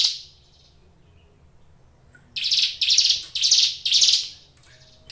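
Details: Brown Prinia (ciblek gunung) kept in a cage, singing in bursts: one buzzy note, a pause, then four loud, rasping high notes in quick succession, each swelling and fading.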